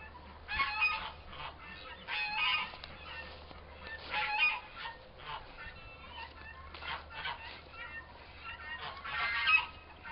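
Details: Two young turkey toms, both about four months old, fighting for longer than usual: bursts of harsh, raspy chattering calls in short clusters, with quieter gaps and a low background hum.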